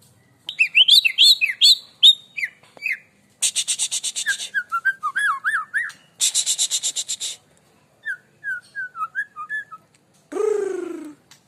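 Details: White-rumped shama, known as Murai Aceh, singing a varied run of clear whistled phrases around the mid-high range, alternating with harsh, buzzy chattering bursts, then a loud descending rasping note at the end.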